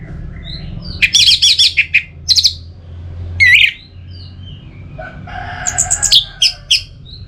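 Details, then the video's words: Orange-headed thrush song meant to coax birds into steady singing: scattered bursts of high chattering and whistled notes, a brief loud slurred phrase in the middle, then more rapid twittering near the end. "Pemancing Burung ANIS MERAH Agar Selalu Gacor, Baik di Musim Hujan & Kemarau"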